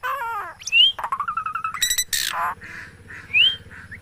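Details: Talking common myna imitating speech: a speech-like harmonic phrase, then a sharp rising whistle, a rapid buzzy run of pulses, a harsh noisy rasp, and another rising whistle near the end, over faint low background hum.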